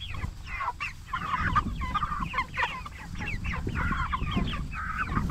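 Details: Meat-raised Cornish Cross broilers, 44 days old, produce a steady stream of short chirps and trills, overlapping peeps from many birds above a low rumbling background.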